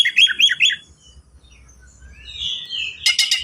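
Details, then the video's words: Oriental magpie-robin in dense speed-style song, played to provoke untrained birds into singing; quick repeated whistled chirps at the start, a soft wavering whistle, then a harsh buzzy rattle. "KACER GACOR SPEED RAPAT FULL ISIAN AMPUH UNTUK PANCINGAN BURUNG BAHAN"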